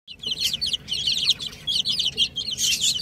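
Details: Several baby chicks playing together peep continuously in high, shrill, overlapping chirps, a busy chorus of rapid repeated notes with no other sounds of note.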